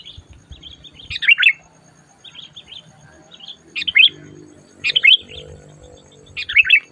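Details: Sooty-headed bulbul calling fiercely during a trapping outing; sharp tumbling downslurred phrases repeat roughly every second or so, with softer warbled notes between them and a quiet background.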